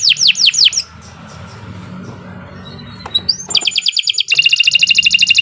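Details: Canary singing as a stimulus for other caged canaries: quick falling whistles, a quieter pause with low rumbling background, a few rising notes, then loud rapid rolls and a fast rattling trill.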